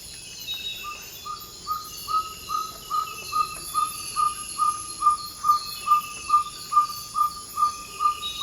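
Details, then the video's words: Ferruginous pygmy owl giving its territorial advertising call just before dawn in the Ecuadorian Amazon rainforest: a long, steady series of about seventeen short, even 'toop' whistles at one pitch, roughly two per second, over a constant high insect hum. "Ferruginous Pygmy Owl Call & Sounds"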